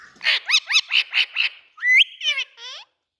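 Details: Indian ringneck parakeet delivering six quick, bright arched squawks in a steady series, followed by one rising whistle and two raspy trailing notes.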